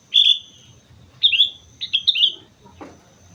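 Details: Sooty-headed bulbul singing vigorously on Mount Slamet: three bright whistled phrases, each a quick rising-falling warble, spaced about a second apart, over a faint low rumble and a steady high hiss.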